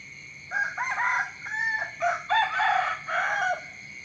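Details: Morning rooster crowing, with several strained, wavering crow phrases packed closely together across three seconds, some overlapping, against a constant shrill background tone.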